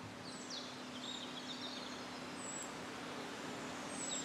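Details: A chaffinch with a nest nearby gives thin, very high, drawn-out seee alarm notes every second or so, telling its chicks to keep quiet and not reveal the nest; steady low hum and faint chirps behind.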